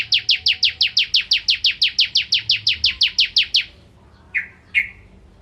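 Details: Bar-winged prinia in full vigorous song, a tutor recording for white-rumped shamas: a steady run of about twenty rapid high downslurred notes lasting over three seconds, followed by two lower separate chips.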